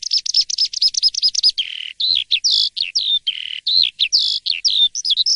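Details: An Asian pied starling singing energetically in the morning starts with a rapid string of repeated short notes, then shifts into longer whistled and buzzy phrases at varying pitches, with only tiny gaps.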